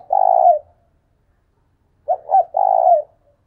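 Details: Spotted dove used as a decoy gives a long, rough, vibrating coo. After a pause of about one and a half seconds it delivers a full phrase: two brief coos, then another extended burry note.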